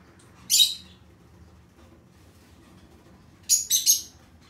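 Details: A masked lovebird gives one shrill, screechy chirp, then a quick run of three harsh, high squeaks a few seconds later; recorded 6 April 2020 in Fukuoka, Japan.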